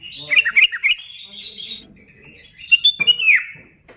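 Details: Short bursts of sooty-headed bulbul song, aimed at getting other bulbuls to sing; a quick cluster of downward-slurred chirps, a lull with faint notes, then another bright slurred flourish.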